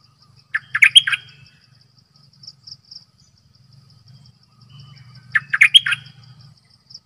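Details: Decoy Cream-vented Bulbul producing two jaunty chattering phrases of quick notes, about five seconds apart, with a faint high insect trill and a low rumbling hum between them.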